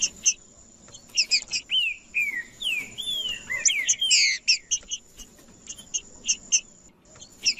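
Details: Provoking macheando song of a green-winged saltator, sung to heat up males; scattered sharp chips, a central flurry of looping slurred whistles, then evenly spaced clipped notes, over a continuous high thin tone.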